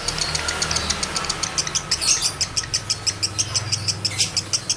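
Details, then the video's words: Male lovebird in high breeding condition, recorded to stir other males into condition and ngekek: rapid, sharp, high chirps about three per second in an unbroken run, over a low engine-like hum. "Masteran Lovebird Jantan Birahi Tinggi || Pancingan Birahi Lovebird Jantan"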